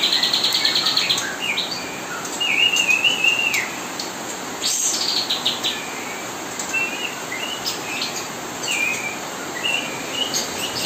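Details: Kapas tembak singing nonstop as a tutoring recording for murai batu fledglings, one independent and one still hand-fed; rapid, varied high chirps and warbled trills, busy at first, then sparser notes through steady hiss.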